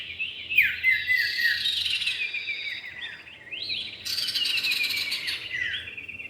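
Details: Common iora, male and female, in a lure recording: fast chattering whistles slide downward in bursts about three to four times a second, with a harsh high rattle joining near the end.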